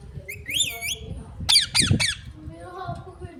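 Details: Parrot mimicking human speech indoors: a rising and falling squawky voice, then a burst of harsh chattering squawks, with faint room noise and a softer voice afterwards.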